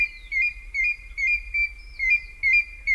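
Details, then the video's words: African grey hornbill calling in Kongelai, Kenya: a series of clear, piping whistled notes, each slightly rising then dipping, repeated roughly every half second with brief gaps, over a faint low rumble. "African Grey Hornbill Call"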